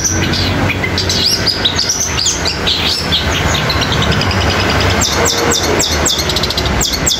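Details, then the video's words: Long-tailed shrike singing a fast mix of sparrow-fighting sounds and nature material: a quick run of rising chirps followed by clusters of sharp ticking notes, over a low steady hum. "Cendet suara gereja tarung kombinasi materi alam gacor roll speed tembak"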